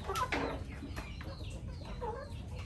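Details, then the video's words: A flock of chickens clucks in short, choppy bursts on a day of rain and storm during Typhoon Noru, with faint duck calls mixed in over a steady rumble of rain and wind. "Tiếng kêu Đàn gà Vịt"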